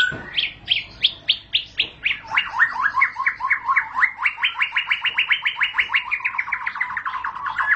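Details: Ngentrok singing by a white-rumped shama (murai batu): sharp high notes at about three per second accelerate into a dense, steady trill of repeated rising-falling notes lasting several seconds.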